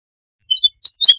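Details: Meadow bunting song: a brief pair of high thin notes, a short gap, then a quick burst of sharp twittering, slurred high notes, with quiet around it.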